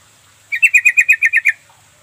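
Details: Lure call of a sooty-headed bulbul, meant to make reluctant birds answer: nine quick, bright chattering notes in a steady run of about one second, with a faint background hiss.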